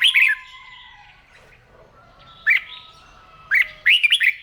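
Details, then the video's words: Caged red-whiskered bulbul in daily morning song practice: a quick loud warble, a single sharp note, then two rapid runs of rising and falling whistles close together. "Tiếng Chim Chào Mào Hót , Kích Chim yếu lửa ra giọng , luyện giọng chào mào mỗi sáng"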